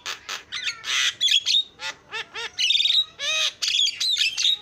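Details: Javan myna giving vigorous isian song: alternating grating squawks and stacked, ringing notes in steady pulses, with occasional clear whistles threaded through the harsh phrases.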